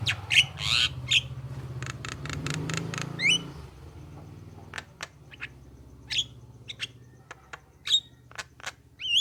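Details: Javan myna (jalak kebo) song meant to prompt other mynas to reply: a burst of raspy chips and sharp rising whistles, then scattered squeaky notes separated by pauses, with a low background hum.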